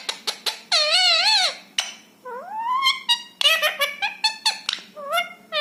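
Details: Rescued ringneck parrot indoors: a few sharp clicks, then a sustained wavering harmonic phrase, a rising drawn syllable, and a quick run of clipped chattering words at the end.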